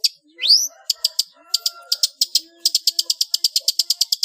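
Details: Long-tailed shrike, recorded as a master song for cage-bird training in ngeplong style: one loud rising sweep, then a steady train of crisp clicking notes quickening to about five per second.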